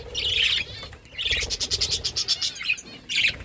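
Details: Flock of budgerigars eating food, kept as pets; continuous busy high chirping and warbling chatter in bursts, with a rhythmic pulsing texture and low background rumble.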